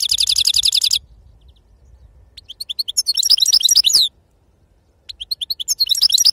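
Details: Goldfinch in 'khalawi' wild-style song: an opening rapid rattle of very high buzzy notes, a pause, then fast twittering phrases of sliding chirps, another short silence and renewed tinkling twitters.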